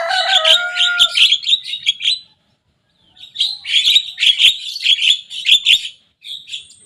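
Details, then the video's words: Harsh, buzzy chattering from a young Javan myna imitating rivals' songs, opening over a steady harmonic tone, falling silent for about a second, then resuming in rapid scratchy phrases. "Jalak kebo muda gacor bongkar suara lawan."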